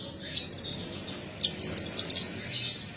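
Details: Kept Horsfield's bush lark singing vigorously in Indonesia: scattered thin, high twittering notes and short chirps, louder in a burst mid-way, over a soft steady background hiss.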